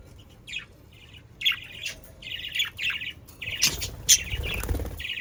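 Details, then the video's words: Chirpy budgerigar warble from pet birds, played to get other budgerigars singing: separate bright chirps at first, then a denser run of squeaky notes with a low rumble near the end. "Sounds of Australian parakeets to stimulate your parakeets to sing"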